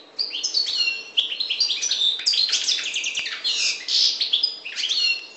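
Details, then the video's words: Sustained bright twittering by a Maghreb parva goldfinch: rapid high chirps run into buzzy rattles and liquid slurred notes, nearly unbroken across five seconds. "Chardonneret parva maghreb"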